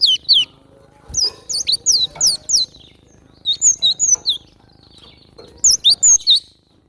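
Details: Wild cinereous tit singing very actively: clusters of high, slurred whistled notes that sweep down, given in quick groups of three to five with short pauses, over a faint low hum.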